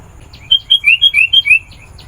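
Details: Vigorous song of a sooty-headed bulbul used to attract wild birds: a quick run of about six clear, slurred whistled notes rising and falling, over faint low hum.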